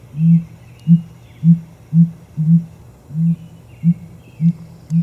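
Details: Dusky grouse; display call; male courtship display to attract females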